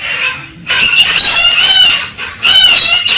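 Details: A Galah parrot urging a female toward mating gives grating, drawn-out screeches, a short pause near the start, then two sustained harsh bursts with a strained, buzzy tone.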